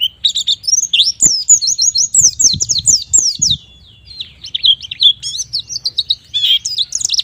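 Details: Continuous lively white-eye song meant to coax young birds into singing, a dense chatter of high, rapid, slurred whistles and trills that rarely pauses, with brief low thumps underneath.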